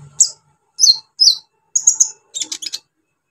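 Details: Brown-throated sunbird, sung to excite other sunbirds: a short sequence of bright, high, slurred chirps, followed by a fast stuttering cluster of ticking notes.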